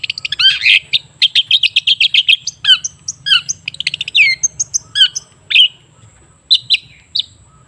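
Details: Long-tailed shrike singing as a lure for a bird that has stopped singing: harsh, squeaky chattering phrases early on, thinning out into scattered single scratchy notes with gaps of silence.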